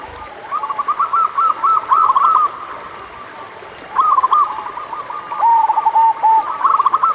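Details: Zebra dove of the local type giving two bouts of song meant to prompt reluctant doves: strings of quick, bubbling coo notes, each bout lasting over a second, separated by a quiet gap.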